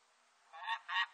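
A peregrine falcon gives three harsh, rasping call notes in quick succession.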